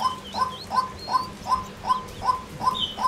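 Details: Female white-breasted waterhen; rhythmic short notes repeated nearly three per second, while a small bird whistles thin sliding notes behind.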